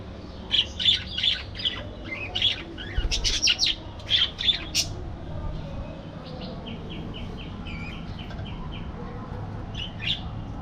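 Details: Budgerigars chirping in an aviary: a lively string of sharp, bright chirps and warbles in the first half, then a softer run of short repeated descending notes, with a steady low hum beneath.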